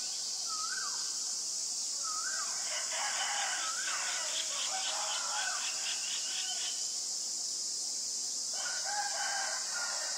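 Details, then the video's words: A White-vented Myna (Acridotheres grandis) in Ubon Ratchathani, Thailand, on 25 March 2022 gives short rising whistles, then long bursts of harsh chattering notes over a steady high insect hiss. "นกเอี้ยงหงอน หรือนกเอี้ยงดำ (White-vented Myna)"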